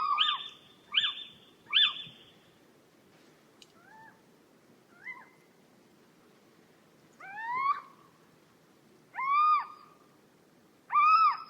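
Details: Little owl, known in Somali as ciyow, calling repeatedly: three quick harsh yelps, then two softer short notes, then three louder mewing cries that rise sharply and drop, each a second or so apart, in a quiet setting.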